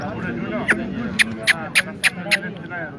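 A black francolin gives a string of six sharp, grating notes spaced about a quarter-second apart, over a low murmur of voices.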